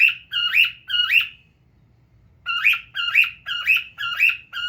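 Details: Pet male pearl cockatiel (Nymphicus hollandicus) gives a quick series of bright chirping calls in two bursts, about two a second, with a brief pause between; faint low hum behind.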